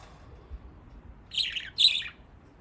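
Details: Budgies at play in water in Japan; two close, buzzy chirp bursts with a harsh, grating tone rise out of soft indoor background noise.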